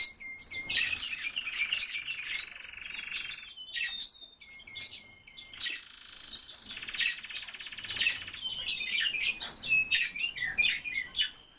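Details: A pair of Eurasian bullfinches calling. Sustained, slightly buzzy whistled tones alternate with dense bursts of short chirps and piping notes, with brief pauses between the runs.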